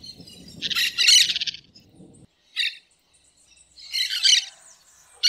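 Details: Green parakeets singing in nature: a long, raspy, buzzing screech, a short sharp call, then another drawn-out harsh screech, with low rumbling noise early on.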